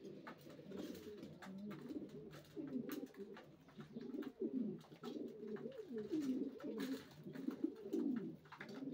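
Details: Racing pigeons cooing continuously, low wavering rolled coos from several birds overlapping, with occasional clicks.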